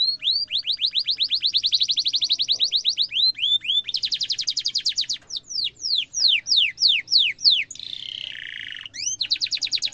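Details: Canary singing a sharp rolling trill, used as a master song for training young canaries: fast repeated whistled notes, then slower downward-swept notes, a brief buzzy burst, and a renewed rapid trill.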